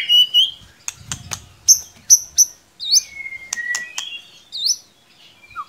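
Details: White-rumped shama lure song, played to coax a quiet young shama into singing: bright high whistled phrases, sharp clicks and rising slurred notes, with a brief low thump near the second.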